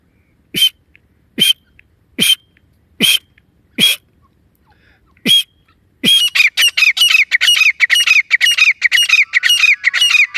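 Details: Female grey francolin call, used by hunters as a lure: six sharp, evenly spaced clicks, then a loud run of harsh, ringing repeated notes about every half second, with no other background sounds.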